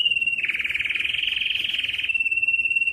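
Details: Canary trill used for tutoring fledglings and stimulating other canaries: one sustained rapid rolling trill, evenly pulsed and mid-high in pitch, widening briefly in the middle and continuing without a break.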